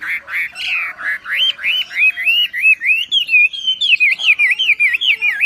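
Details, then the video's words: ['Javan pied starling full tembakan song on a masteran tutor recording: loud, rhythmic rising whistled notes, speeding into quick looping phrases toward the end.'] "MASTERAN BURUNG WAMBI FULL TEMBAKAN GACOR DOR"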